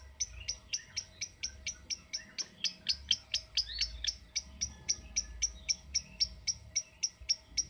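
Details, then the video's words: Lovebird uttering a steady series of sharp, clicking chirps, close to four per second, evenly spaced throughout with little variation, over a faint background hum. "Cara Cepat Memanggil Love Bird Agar Ngekek Panjang"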